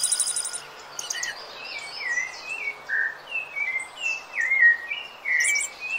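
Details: Rufous-bellied thrush song used to train cage birds: a steady flow of fluty, whistled phrases, each a short slide or warble, about one per second. A brief high buzzy trill sounds at the start and the end.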